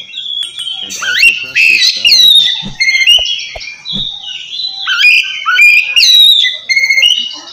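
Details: Oriental magpie-robin singing in the loud, open ngeplong style while calling a rival. Rich, varied whistled phrases, high and clear, with sweeping slurs and short buzzy notes, in bursts separated by brief pauses.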